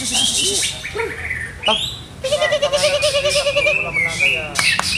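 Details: Captive greater green leafbird under ongoing conditioning trials: sweeping whistles give way to a fast, bubbling, evenly pulsed warble, then sharp high slurs near the end.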